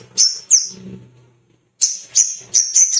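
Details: Little spiderhunter, a male singing in a fighting, excited mood, used as a lure to provoke other birds into song: high, sharp chirps and squeaky notes in short bursts with pauses between.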